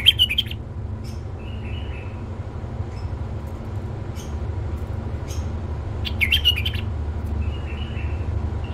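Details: Male bulbul, tame, opens with a quick jumbled warble, follows with soft fluty notes, and repeats the warbled burst about six seconds later, all over a low steady drone.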